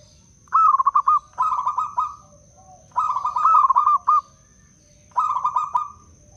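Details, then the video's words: Wild-origin Blora zebra dove, a lure bird for other doves, sings quick choppy coo notes that blur into a purring roll. Three phrases about two seconds apart over low background rumble. "Perkutut LOKAL BLORA - suara terbaik untuk pikat dan pancingan perkutut"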